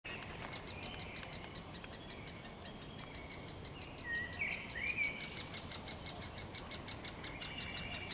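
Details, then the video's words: A woodpecker in a forest on 23 May 2023 gives sharp, even ticks, about three a second, throughout; a brief whistled phrase from another songbird cuts in midway, over soft forest hiss. "Głos dzięcioła i śpiew ptaków w lesie."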